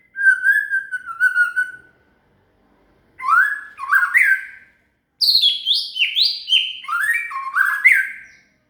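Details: Song of a shama (murai) for teaching a cililin: a long wavering whistled phrase, then after a pause loud stepped whistles climbing and dropping, followed by a fast run of high descending sweeps.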